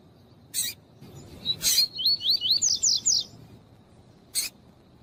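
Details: Double-collared seedeater male and female calling, used by breeders to warm up a male to sing for tournaments: a phrase of about eight quick, slurred whistled notes rising in pitch, framed by sharp dry clicks before and after.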